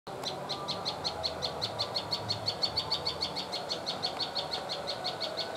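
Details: Prinia, locally called prenjak lumut, giving a long run of sharp, high chipping notes about five per second in a steady rhythm. A low rumble of background noise sits underneath.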